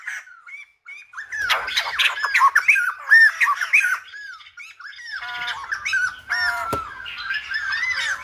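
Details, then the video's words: Silver-headed babbler singing like a lumba dancer: a busy jumble of arched, slurred whistles and harsher squawky notes, tumbling quickly with short gaps, growing fuller after the first second. "Khướu Đầu Bạc / Silver -headed Babbler / Singibg like aLumba Dancer."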